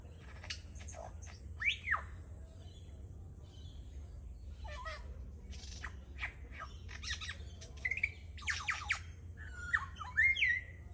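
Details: Male lyrebird copying the calls of other local birds: a varied sequence of sharp clicks, harsh squawks, rapid chattering bursts and bright whistled notes, each segment different from the last, over a low steady background hum.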